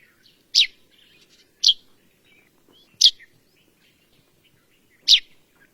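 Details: A bird giving single sharp, high chirps, four of them spaced about one to two seconds apart, with quiet faint background.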